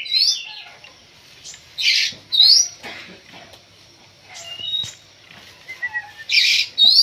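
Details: Oriental magpie-robin (kacer) during a pacingan session meant to fire it up. Sharp upward whistles and harsh scratchy blasts come in irregular clusters, with softer thin notes filling the pauses.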